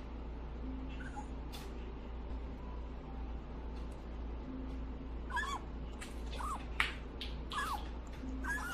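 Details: Young pet grey parrot whining while being fed pellets outside its cage: a run of short, downward-curving nasal whines repeated about once a second over low indoor hum and faint clicks.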